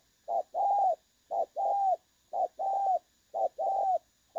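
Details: Clear 'đồng son' call of a spotted dove used as a trapping decoy. Four low coo pairs, each a brief note followed by a longer even tone, sound at a steady one-per-second pace.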